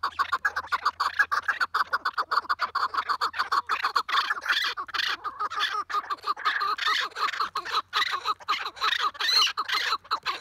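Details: Loud, continuous chukar partridge chorus of harsh, squawking chuck notes, densely packed and overlapping, with a low steady hum underneath for the first few seconds.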